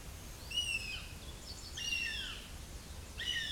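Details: Young northern goshawk, recently fledged, calling close to the nest with repeated high, plaintive, descending wails, some overlapping, against steady low outdoor noise.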